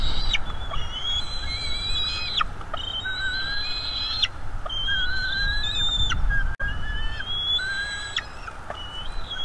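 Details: Bald eagle juveniles calling at a North East Florida nest while food arrives: repeated long, high, whistled squeals in steady bursts about every one to two seconds, layered over one another, with low rumble throughout.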